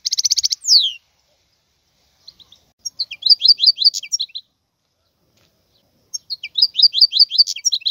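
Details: A wild European goldfinch sings in high, tinkling bursts of rapid twittering notes and buzzy trills, with falling slurred whistles, separated by short silent pauses.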